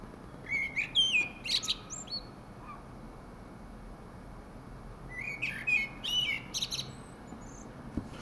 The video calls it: Singing Thrush Song